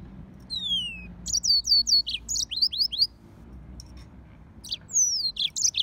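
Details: Hybrid between a yellow-fronted canary and a domestic canary delivering high, clear whistled notes that slide downward, given in quick repeated bursts and short phrases with brief pauses, over a low background hum.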